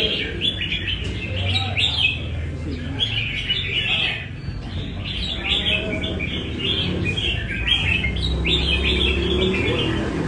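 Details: Caged red-whiskered bulbul from Nam Đông practising song at a café in Đà Nẵng: quick bursts of bright, warbled chirping notes, rising and falling, repeated rapidly over steady low rumble and background murmur.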